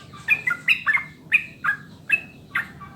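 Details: Sooty-headed bulbul song used as a master recording to prompt kept birds to sing quickly: short bubbly whistled phrases, each a quick rising then falling pair of notes, repeated about twice a second with brief pauses, over a faint low hum.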